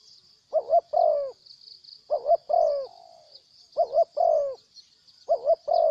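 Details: Wild spotted dove that arrived to fight before leaving, repeating its low two-part coo four times about every one and a half seconds, each a short wobbling note and a longer falling note, with a continuous high insect buzz.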